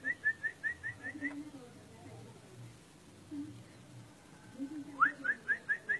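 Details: Orange-spotted bulbul singing a rapid series of six or seven short, bright whistled notes. After a quiet gap of several seconds, a similar run begins with a rising upslur, over a low murmuring background.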